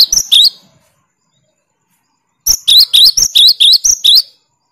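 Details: 'Tembakan' song of a cinereous tit, used to wear down rival birds: a short opening burst, nearly two seconds of silence, then a run of about eight bright, high two-part notes in quick, even succession.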